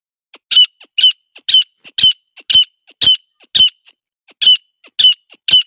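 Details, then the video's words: A female grey francolin calling gives loud, harsh two-part squawks, a soft lead-in note then a shrill burst, about twice a second in a steady series. "Goray female Teetar ki awaz. Grey Francolin Madi Voice. Partridge female Calling Teetar Awaz"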